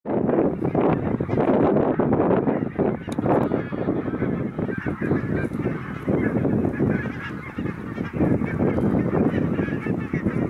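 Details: Large flock of wild greylag geese arriving from Iceland in October for winter near Kilchoman, Islay, Argyll, Scotland, 7 October 2020: a dense, continuous chorus of overlapping nasal honks from many birds, loud throughout with no pauses.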